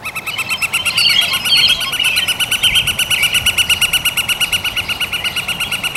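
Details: A Northern Flicker drums on a metal roof vent, perhaps to attract a mate, repeating it several times: a fast, even roll of ringing, tinny taps that carries steadily throughout.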